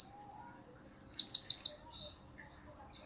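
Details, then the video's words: Blue-crowned hanging parrot (serindit), an actively calling bird used as a lure to draw replies. Thin, very high chirps, then a loud rapid burst of four sharp notes, then softer high twittering. "Pancingan Suara Serindit Gacor Pasti Nyaut !!!"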